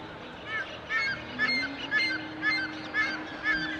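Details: Birds calling at sunrise, heard from a terrace early in the morning and recorded on a Nikon D5300: a honking note repeated about twice a second in an even rhythm, over a steady low hum.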